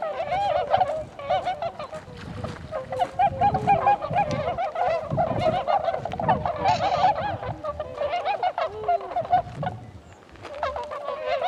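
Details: Tundra swans recorded on 26 February 2012, a dense chorus of many birds giving nasal, honking calls that overlap continuously, some rising and falling, with brief quieter gaps and low rumbling background noise.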